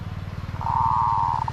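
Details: Zebra dove in 'od' style cooing: a steady mid-pitched rolling coo of under a second, ending in a few short separate pulses, over a low rhythmic throbbing background rumble.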